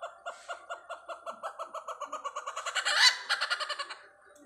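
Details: Great hornbill seen at Pathanamthitta utters repeated nasal barks, about three per second, that grow louder and blur into a rough roaring peak, then a few quick harsh pulses before dying away.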